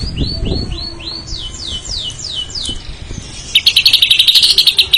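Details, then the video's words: White-rumped shama song: a series of downward-slurred whistles, then a quick run of longer sweeping notes, ending in a rapid rattling trill of high chips. "kicau murai batu.. fuul isiaaan"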